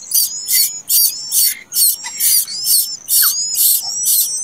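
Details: Common koel chick that hatched late, begging with rapid rasping hissy bursts nearly three per second, separated by brief gaps, over a steady thin high whistle.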